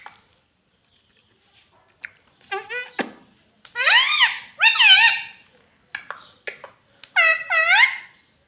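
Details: Parrot indoors talking "mummy papa": several squeaky, strongly harmonic syllables that dip and rise, in separate groups with short silences between.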